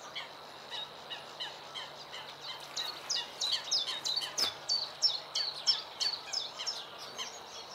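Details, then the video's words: Bluethroat song recorded early in the morning: a fast, varied run of short high chirps, clicks and buzzy notes, several phrases repeated in quick succession and growing louder toward the end, with a steady low hum beneath. "Blauwborst,Bluethroat,Luscinia svecica"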